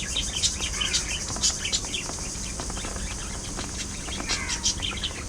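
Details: Several budgerigars singing and talking amid playful fights and mutual grooming; scratchy chirps and squeaky notes in clustered bursts about twice a second, above steady hiss and low hum.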